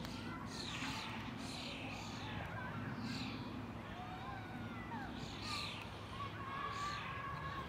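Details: Common blackbird (Turdus merula) in the Ljubljana Botanical Garden on 22 May 2023, giving short, sharp falling calls about once a second, with thin whistles from other birds over a steady low background hum.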